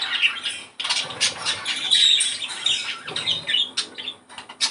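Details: Budgerigar song played to stimulate breeding condition: dense, scratchy chatter and warbling with quick clicks and squeaky notes, several birds overlapping continuously.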